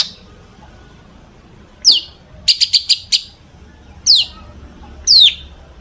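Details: Long-tailed shrike singing as a lure for other shrikes, its song rich in mimicked fill-ins; sharp high downslurred whistles spaced about a second apart, with a quick run of four clipped notes.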